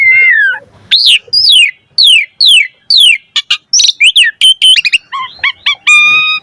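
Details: A singing Asian pied starling, its varied song intended to get other starlings singing: a falling whistle, several steeply descending slurred notes, then quick chirps and steady whistled tones.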